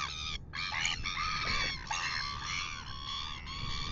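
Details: Red-billed gulls pestering a royal albatross at 6:27 AM in Dunedin, New Zealand, on a nest camera: a near-continuous stream of overlapping nasal, wavering cries with only brief breaks, over low background rumble.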